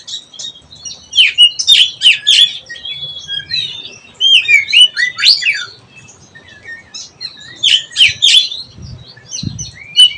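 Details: Oriental magpie-robin (kacer) learning to sing in ngeplong style: bursts of sharp chirps and whistled notes high in pitch, in bright clusters around two and eight seconds, with quieter twittering between and a faint low hum.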